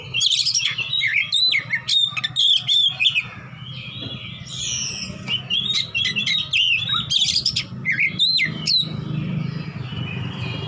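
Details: Oriental magpie-robin fighter calling for an opponent, ngeplong style: repeated bursts of sweeping whistles and clicks, a quieter middle stretch, then more loud varied phrases, all over a low background hum.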